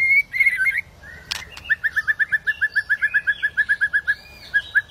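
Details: Agitated white-rumped shama provoking other shamas to sing: a few slurred whistles, a sharp burst, then a fast even series of some twenty identical clipped notes, briefly pausing before two more.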